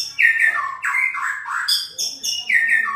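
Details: White-rumped shama song played to get other shamas singing: varied loud whistled phrases, some slurred downward, others high and steady, in quick succession.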